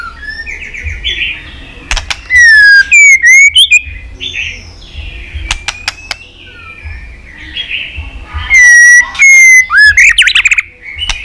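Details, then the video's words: White-rumped shama song of many voices, meant to stir another shama into fighting song: bursts of loud descending whistles and rising slurs separated by softer warbles and sharp clicks, repeated twice. "chòe lửa hót líu dụ bổi đấu kích lên lửa hiệu quả.kích chòe lửa hót đấu.kích lửa hót nhiều giọng"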